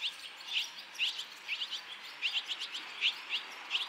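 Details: Fledging barn swallow chicks, five young from one nest leaving within two and a half minutes, with earlier-fledged young from other nests nearby. Short upswept high chirps come in clusters of two or three, roughly every half second.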